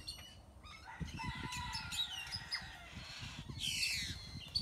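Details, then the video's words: Birds in a tropical tree in Nayarit, Mexico, filling the air with overlapping songs: high thin whistles, slurred rising notes and bright chattering phrases, several voices at once against soft low rumble. "Many bird songs 🎵 fill tropical tree"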